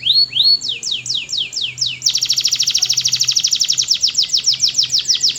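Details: Canary singing a run of evenly spaced downward-slurred whistles that breaks into a loud, very fast repeated trill with sharp ringing notes.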